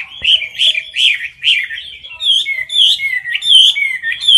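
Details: Caged Chinese hwamei singing hard for competition, close to the camera: repeated warbled whistles roughly every half second, then longer sliding whistled phrases toward the end.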